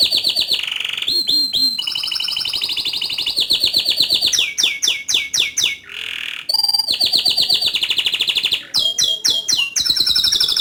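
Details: Canary in full ngerol song with nembak bursts, pouring out long bright rolling trills that switch pitch, broken by short gaps and buzzy rattling phrases, almost without pause.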